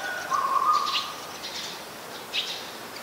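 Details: A Eurasian tree sparrow, a very common resident in Ubon Ratchathani, Thailand, recorded on 22 November 2019, gives short, harsh chirps at an uneven pace, about four in three seconds, over a steady mid-pitched hum.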